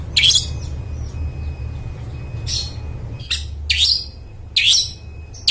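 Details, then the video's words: Long-tailed shrike, a keen singer used to prompt quiet birds to sing: scattered harsh raspy bursts with rising scratchy tones, irregularly spaced about a second apart, over low humming background. "Suara Cendet Gacor Paling Dicari,Bangkitkan Suara Cendet Bisu Gak Mau Bunyi"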